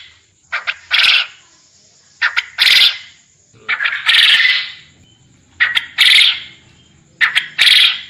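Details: Contest-training recording of a quail calling loudly. Each phrase is a pair of short clicks, then a drawn-out hoarse, noisy burst. The phrases repeat five times at fairly even intervals of about one and a half seconds, over a constant high whine.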